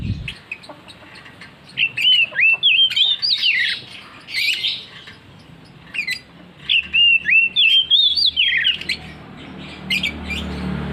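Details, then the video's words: Oriental magpie-robin singing insistently in ngeplong style: two long bursts of loud, clear whistles, some rising, some falling and some slurred, with a few squawky harsh notes between. A steady low hum runs underneath. "KACER NGEPLONG NGOTOT"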